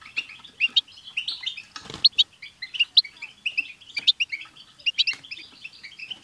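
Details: Group of European goldfinches singing together, used to prompt a pet goldfinch to sing; dense, continuous twittering of bright, high chirps and short trills from several birds overlapping, with a brief rustle or flutter near the second mark.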